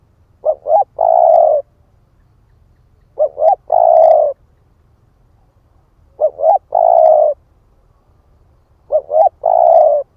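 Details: Spotted dove with a split breast cooing to draw in wild birds, four evenly repeated phrases roughly every three seconds, each two short upward notes then a long hoarse coo; quiet background.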